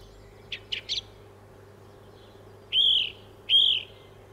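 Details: Song thrush (Turdus philomelos) song: three quick high chirps, then the same clear whistled phrase twice in a row, over a faint steady low hum; this bird varies its song but keeps repeating the same phrases.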